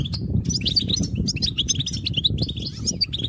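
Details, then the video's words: Goldfinch song meant to stimulate other goldfinches to sing: quick bright chirps and twitters jumping between high notes, with steady low rumbling and fluttering noise underneath. "Cute birds chirping to stimulate the goldfinch"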